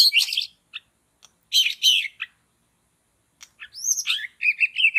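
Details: Wild long-tailed white-rumped shama in a forest where many live, heard during bird trapping: bursts of high, scratchy chirps, then a run of clear whistled notes, rising and falling and repeated quickly.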